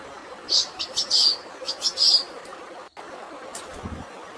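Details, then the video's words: Long-tailed shrike song with sparrow filling, meant for fighting. A few loud, piercing high chirps cluster in the first two seconds, then fainter notes follow, all over gently running water. "CENDET ISIAN GREJA TARUNG DAN SUARA AIR ALAMI, UNTUK BURUNG STRES"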